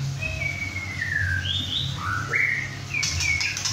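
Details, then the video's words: Young male white-rumped shama, about six and a half months old and just past his first moult, singing hard at home alongside other birds: long whistled slurred phrases, falling then rising, with a few brighter notes near the end. "White rumped Shama – "Imagine" whacking hard"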